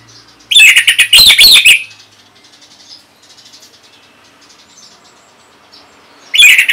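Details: Orange-headed thrush song used to get other birds to answer: a loud, fast burst of tumbling whistles and harsh notes, a quiet stretch of faint twitters, then another loud phrase beginning at the end.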